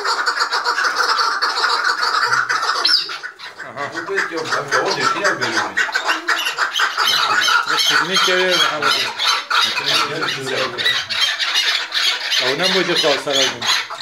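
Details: Five chukar partridges confront one another at once, giving harsh, repeated clucking and chattering calls in rapid overlapping bursts, loud and agitated, over a steady background hiss.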